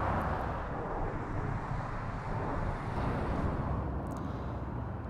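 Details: Steady low outdoor rumble, like distant traffic or an aircraft, with no animal sound.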